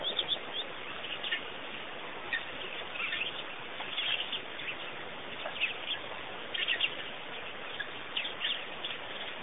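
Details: Many birds calling together at Pete's Pond in Botswana, Africa, a continuous wash of thin, high chirps and tweets, with brief louder bursts of twittering rising and falling throughout.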